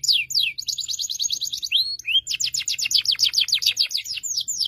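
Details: Canary song, Indonesia, from a setup where a young canary learns by being placed beside a gacor adult: fast buzzy trills of repeated high notes, a sweeping whistle near two seconds, then rapid falling notes, loud and continuous.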